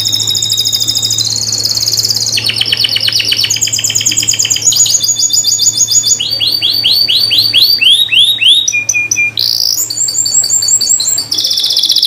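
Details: Atlantic canary (Serinus canaria) song, meant as a lure to make canaries that have stopped singing sing again: loud, fast high trills and rolling tours, each phrase shifting pitch every second or two, over a low steady hum.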